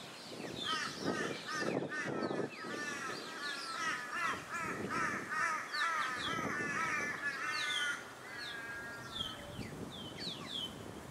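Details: Australian white ibis filmed on the Sunshine Coast, Queensland, in August 2023; a run of harsh, honking calls with stacked tones, repeated at an uneven pace over several seconds, with thin chirps from other birds above.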